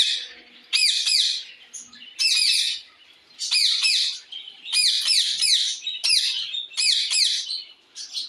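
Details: Parrot calling out to another parrot with loud, shrill, harsh squawks in short bursts, repeated roughly every second and a half with brief silences between them.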